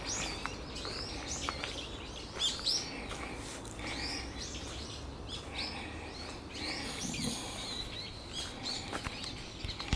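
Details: Brown-eared bulbuls still sounding their raptor warning, November; a cluster of sharp, high descending squeals tumbling irregularly, with a faint low hum beneath.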